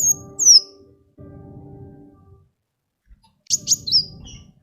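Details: Song of a sunbird, played to lure other birds into singing: high thin whistled notes, a sharp descending slur at the start, then a pause, then a cluster of quick high trills and falling notes, over a low steady hum.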